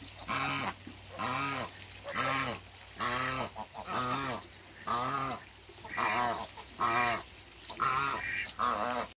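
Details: Couple of African geese met on a waterbird farm, honking in a steady series of loud nasal calls, some doubled, about one each second.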